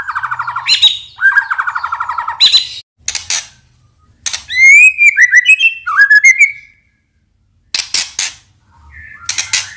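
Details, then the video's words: White-rumped shama, a singing bird used to draw songs from others, giving fast rattling trills, sharp loud clicks and a descending series of twisting whistles, with pauses between bursts and faint low hum. "Pancingan Murai Batu Gacor FULL isian Sekali dengar langsung Nyaut"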